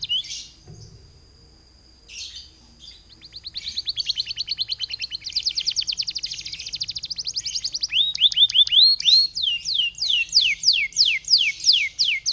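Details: Canary song used as a lure to trigger other canaries to sing: a long sustained whistle, then fast buzzy trills of rapid repeated notes, ending in loud descending sweeping whistles repeated about twice per second.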